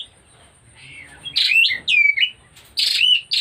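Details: Oriental magpie-robin in breeding condition singing loud whistled phrases: short sliding and fluty notes, some rising, others falling, delivered in bursts separated by brief pauses, with a faint steady high tone in the background.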